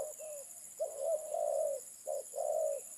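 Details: Spotted dove (terkukur) cooing: a brief note, then a long level coo, a short note and another long coo, low and mellow, over a steady high-pitched hiss.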